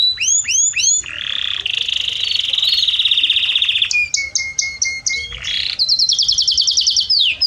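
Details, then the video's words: Domestic canary singing to teach song to its chicks: rapid high rising whistled notes, then a long sustained buzzy roll, a series of clipped repeated two-tone notes and a fast high trill to finish. "Canary encartando Filhotes de Canário Do Reino"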